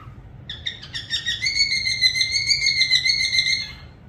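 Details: Parrot giving a few quick clicks, then a sustained, slightly rising whistle held for about two seconds with a fast pulsing, trill-like quality.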